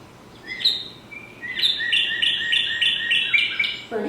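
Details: Northern Cardinal, a local spring songbird: a few clear opening whistles, then a fast string of about eight slurred 'birdie' notes, roughly three per second; a voice begins right at the end.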